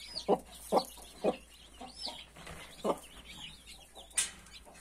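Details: Mother hen among 31 newborn chicks: a few soft, low clucks at uneven gaps, chicks peeping high and arching, one sharp high squeak near the end.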